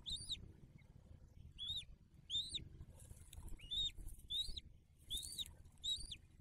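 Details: Bald eagle at a nest in a tree bole on 9 December 2022, the day after the first eaglet hatched, with feedings at the nest: squeaky, high chirped notes that rise then drop, given singly about every second, with faint rustling between.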